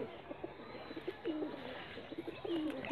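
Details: Ghia Sulli pigeons, a yellow high-flyer breed kept in Bangladesh, give soft, low burbling coos in overlapping bursts, with a faint room hum underneath.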